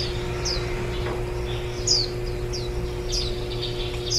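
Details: Warbling white-eyes at a nest on 23 July 2018, after ten days of feeding nestlings and the day before fledging. Short, thin, high chirps slide downward, in scattered pairs and singles. A steady low hum runs underneath.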